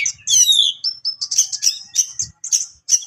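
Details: Oriental magpie-robin of HC type delivering a sharp, rival-provoking song: opening descending slurred whistles followed by a rapid series of short piercing chirps, one soft thump midway.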